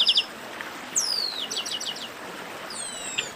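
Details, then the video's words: A chestnut-capped blackbird sings 'baderna': a few quick chips, a long sweeping downward whistle, a short series of falling notes, then thin gliding whistles. "Baderna de Garibaldi"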